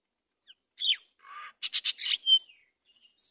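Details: Great myna at its nest with a chick on a palm tree, giving a short burst of harsh, scratchy chatter: a falling squawk, a buzzy rasp, three quick grating notes, then a brief clear whistle.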